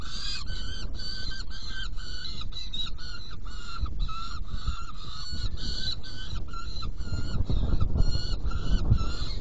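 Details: Saker falcon at a nest box, recorded during a feeding on 17 June 2018 at 10:31. Rapid series of short, harsh, nasal calls repeats throughout, each about a third of a second, over a constant low rumble.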